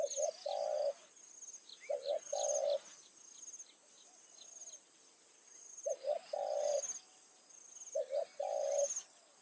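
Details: Decoy spotted dove cooing at dusk beside rice fields to attract wild doves: paired phrases of two short notes and a longer coo, a pause, then two more, with rhythmic insect chirps overhead.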